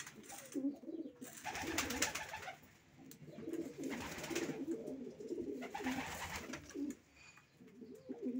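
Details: Racing pigeons cooing in low, bubbling phrases while loud rustling and flapping noises come and go throughout.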